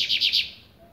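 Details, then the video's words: Three quick buzzy notes from a double-collared seedeater in blade style as it begins warming up, then fading to quiet. "COLEIRO BLADE COMEÇANDO ESQUENTAR"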